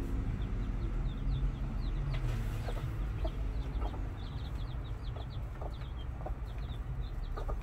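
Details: Chicks with their mother in a farmyard pen: many short, high, thin peeps repeated irregularly throughout, with occasional soft clucks beneath and a steady low rumble of background noise.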